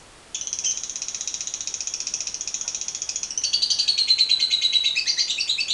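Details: Lovebird in long 'ngekek panjang' chattering song, used as a lure recording: a rapid, buzzy, high rattling trill of evenly pulsed notes running nearly six seconds, growing louder and slightly lower partway through.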